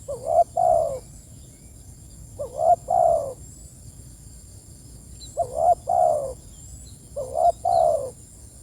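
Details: Spotted dove calling to its companions, giving four soft double coos, each a brief rising note then a longer drawn-out falling coo, spaced unevenly with quiet gaps, and a constant faint high whine behind.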